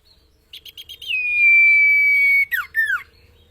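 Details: Common iora song meant for training cage birds: four short pulsed notes lead into a long, steady whistle, ending with two loud, sharply falling slurred notes.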